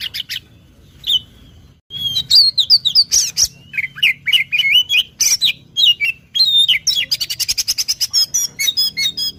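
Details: Magpie-robin lure sound: after a hummy pause, a long energetic run of varied whistles, warbled slurs and sharp ticking notes that speeds into rapid repeated chips near the end, over a low background hum.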